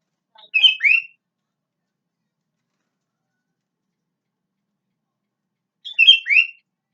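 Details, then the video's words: Sooty-headed bulbul singing its natural voice, two brief bubbly phrases each closing on an upslurred whistle, spaced about five seconds apart with silence between. "KUTILANG SUARA ASLI"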